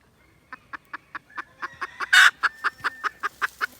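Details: Red junglefowl recorded 16 December 2021: soft clucks that build in loudness at a quick, even pace, with one loud, harsh burst midway and rustling background noise.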